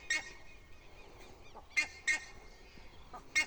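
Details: Four buff-necked ibises calling from a tree on a rural property. Loud, harsh, honking calls come in irregular bursts, with a thin ringing tone running through them.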